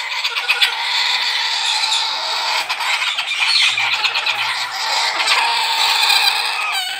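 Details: Hand-fed baby galahs hatched in aviaries in Cyprus give harsh, rasping squawks, a dense overlapping chorus of scratchy begging calls that runs on without a pause.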